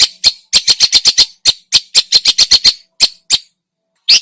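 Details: Energetic long-tailed shrike song of the varied, richly filled style used to provoke other birds. It is a fast string of rasping, squawky notes, nearly four a second, slowing toward the end before a pause and one last note.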